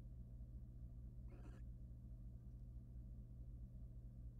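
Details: A male barn owl, wild and filmed at a nest box, preens his mate. A single brief, rasping hiss-like screech rises out of a constant low droning hum.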